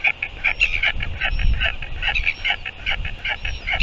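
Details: Royal albatross sky calls at a nest in New Zealand on 24 February 2023 at 4:29 PM as the mother feeds her chick: a dense run of short, nasal, harmonic pulses repeated rapidly and unevenly over steady background hiss.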